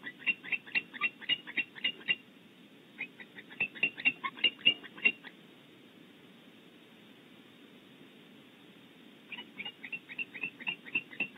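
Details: Barn owl pair, female and male, defending their nest cavity in California; quick runs of clipped, raspy notes in three separate bouts, with a long silent stretch between the second and third.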